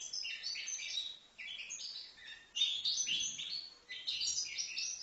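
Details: Young European goldfinch, five months old, in Livno, singing a fast, dense twitter of bright tinkling notes with short buzzy trills, broken by brief pauses around the second and fourth seconds.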